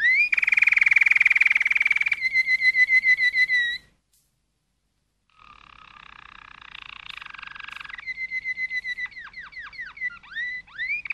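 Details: Malinois canary song: a dense rolled trill, then a purer rolled tour, a pause of about 1.5 seconds, then layered trills ending in a series of quick descending and rising slurred notes.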